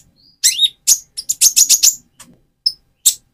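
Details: Van Hasselt's sunbird in spotted plumage, moulting to metallic feathers, singing to rouse another bird; a thin falling whistle, then a fast jumble of high, buzzy, twittering notes, ending in isolated chips.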